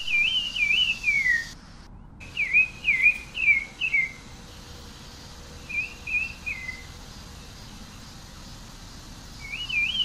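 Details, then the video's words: Pale-breasted thrush (Zorzal Sabiá, Turdus leucomelas) singing: short whistled, warbling phrases wavering up and down, delivered in bursts of three to five notes separated by pauses, over a steady low background hiss. "Canto del Zorzal Sabiá"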